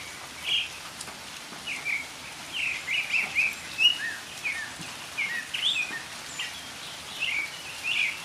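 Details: A Northern mockingbird sings through falling rain, giving a string of varied, separate phrases: rising slurs, falling notes and brief chirps, each changing from the last, above a constant patter of rain.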